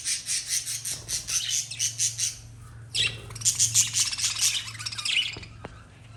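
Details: Lovebirds chirping: a run of evenly spaced sharp high squawks, about three a second, followed after a short pause by a denser, noisier burst of chattering.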